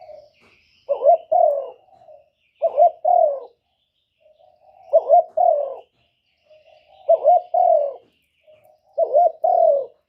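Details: Spotted dove used to bait wild doves toward a trap, giving husky cooing phrases of two quick clipped notes and a falling hoot, repeated every two seconds or so with quiet pauses between them.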